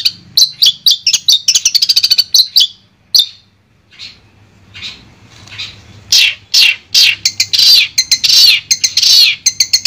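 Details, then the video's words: Long-tailed shrike (cendet) from Madura, a clear tutor recording for training birds: fast high chattering notes in quick series, a brief near-silent pause, then loud harsh scratchy bursts repeated in rapid succession. "Suara Jernih Masteran Burung Cendet Madura"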